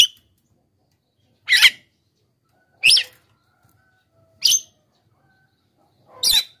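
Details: A Javan myna gives four harsh, grating squawks, each about a quarter-second long and spaced a second or two apart; the calls are used as a lure to attract wild mynas and prompt silent captive birds to call.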